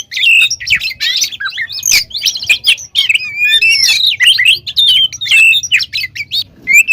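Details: Oriental magpie-robin in energetic full-filled song used as a lure: long unbroken medley of rapid trills, buzzy rattles and swooping whistles, with a soft low hum throughout.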